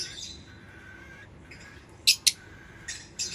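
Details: Lovebird uttering a soft, buzzy twitter, then two abrupt, loud, shrill chirps in quick succession, followed by more harsh chirps near the end.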